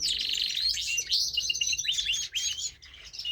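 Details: Singing male pet canary: a quick burst of rapid trills followed by a series of clear, down-slurred whistled notes, high and sweet.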